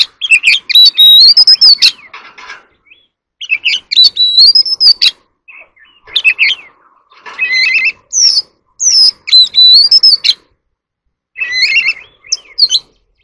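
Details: Oriental magpie-robin singing in a duel: loud phrases lasting one to two seconds, each pairing a long arching whistle with harsh, buzzy notes, repeated after short silences.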